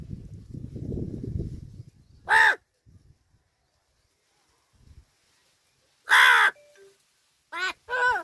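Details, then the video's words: Talking crow at Gargaon, Palghar, giving three loud, harsh, harmonic caws spaced a few seconds apart, the last a quick double, after a person speaks to it at the start; otherwise quiet. "गारगाव बोलका कावळा.. बोलतो जेवायला जायचे का ..palghar talking crow"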